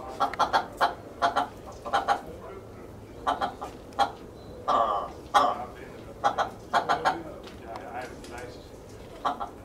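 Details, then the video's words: Captive willow ptarmigan in a private aviary in Holland on 19 August 2023 gives low, hoarse clucking notes in quick bursts of two or three, with a few longer croaks in the middle. "Willow Ptarmigan making sound"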